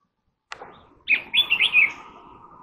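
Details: Red-whiskered bulbul singing: a short, bright, warbled phrase of rapid rising and falling whistled notes lasting under a second, preceded by a soft click and followed by a faint lingering hum in the background.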